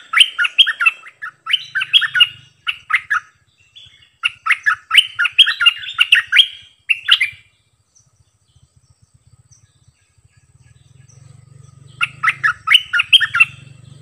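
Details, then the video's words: Bulbul used as a decoy bird, singing many songs with repeated doubled phrases. Rapid bubbling, whistled phrases come in clusters about every second, then a pause with faint low rumble before the phrases resume. "เปิดดอกเพลงเบิ้ล!!ร้องหลายเพลงSuara merbah lekir gacorbahanan"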